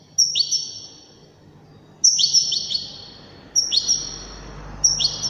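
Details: Widani goldfinch singing four quick high chirp groups about every one and a half seconds, each sliding downward into a lingering ringing note, over constant hiss and low hum.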